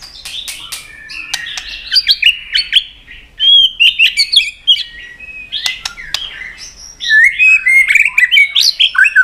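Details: White-rumped shama giving fighting song while flicking its tail to provoke a rival. Sharp clicking snaps open the clip, followed by rich, varied whistled phrases that sweep up and down.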